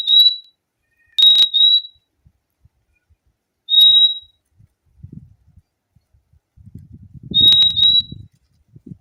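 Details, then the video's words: ['Purple-throated euphonia song: clear high whistles, often doubled, spaced a second or more apart, with faint low rumbling noise in the background.'] "O LINDO SOM DO PÁSSARO FIMFIM"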